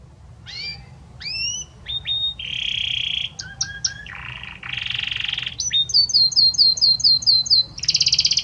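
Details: Belgian canary, male, singing to a female: scattered upward-hooked whistles, buzzy blocks of sound at differing pitches, then a fast repeated run of sharp high notes and a final buzz.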